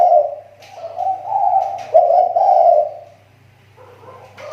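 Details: Spotted dove lure bird of the Riau Islands type, regaining its voice after a drop. A continuous series of low, burry coos that swell and fade, then a quiet pause before another begins.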